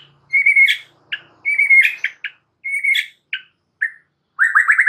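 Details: White-rumped shama in energetic gacor song used as a master recording for caged birds: long flat whistles ending in harsh flicks, short chips, then a fast run of rising trilled notes.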